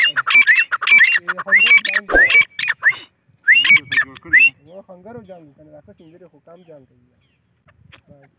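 Grey francolin giving loud, shrill, harsh calls in quick repeated bursts, about one or two a second, then softer lower notes fading out.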